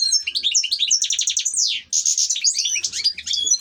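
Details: Ornamental pet European goldfinch delivering a dense, continuous run of high liquid twitters and buzzy trills, with one long descending slur near the middle of the phrase.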